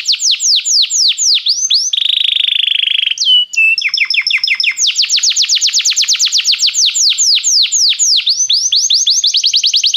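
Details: Belgian canary song meant to warm up a canary: long series of rapid descending whistled sweeps, a brief buzzy roll and a thin held note, then a steady stream of quick sweeping notes.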